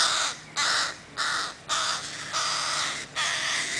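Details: Crow chicks that won't leave their mother, Helsinki, Finland, 20 July 2011: harsh, raspy begging caws, about five loud calls in under four seconds, each a short broad buzzy burst with brief gaps between.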